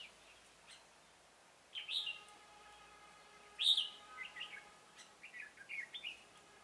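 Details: Red-whiskered bulbul used in trapping, 27 October 2017, sings a series of short, cheerful warbled phrases, the loudest near the middle, followed by quicker chirpy notes.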